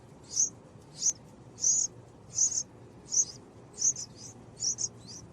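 Purple-crowned Fairy giving very high, thin chips, about eight over five seconds at an uneven pace, some doubled, over a soft low background hiss.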